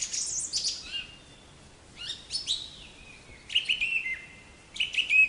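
A black-capped chickadee gives four short bursts of high, sharp chirps. Each burst runs into a lower, clear held note, with quiet pauses in between.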